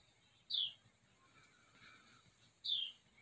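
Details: Baby wrens newly hatched in a barn nest, four chicks, July 2023 afternoon: two sharp, high chirps that slide downward, about two seconds apart, over quiet background hiss.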